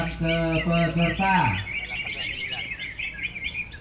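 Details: A man's voice speaks briefly, then a prize-winning contest greater green leafbird sings a fast run of bright, high chirps and twittering phrases, about two a second.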